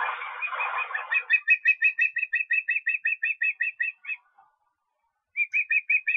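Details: Osprey in Estonia on 23 August: a rapid run of clear, high chirped whistles, about three per second, steady in pitch, pausing briefly before a second burst of the same notes.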